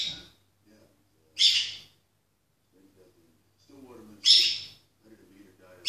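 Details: Female peach-faced lovebird kept as a pet, singing to the TV: three loud, harsh, buzzy screeching bursts spaced a few seconds apart, with television voices murmuring between them.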